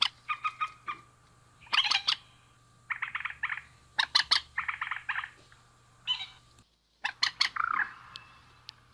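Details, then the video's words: Harsh repeated calls from a male and female rail, delivered in short fast clusters separated by brief pauses, with one drawn-out buzzy note near the end, against a constant high tone and hum. "Suara Burung Mandar Jantan dan Betina"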